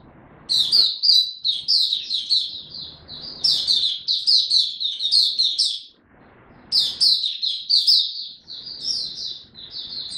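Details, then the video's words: Caged Oriental white-eye kept in song-bird training form, singing a rapid high twittering warble of short chirps and trills, two long bursts separated by a brief pause near six seconds, faint low background murmur. "Mata Puteh Dagger ramp up form buka tiong aw sing"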